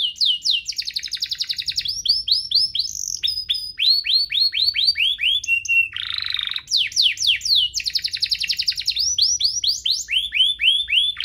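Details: Canary song for training and luring caged canaries into song: continuous fast phrases of repeated sharp downslurs, upswept notes and buzzy rolls, briefly broken by a harsh burst mid-song.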